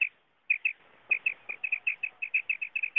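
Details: Common quail calling, as used for hunting: after a brief pause, a rapid run of short, piercing, clipped notes, mostly paired, roughly fifteen in under three seconds, with no other sounds.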